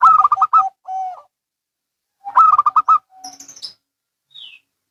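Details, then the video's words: Local and Bangkok zebra doves answering one another. Two loud bursts of fast rolling notes are each followed by a short coo. A faint high thin note sounds near the end. "Perkutut Lokal & Bangkok Bunyi Saling Bersahutan"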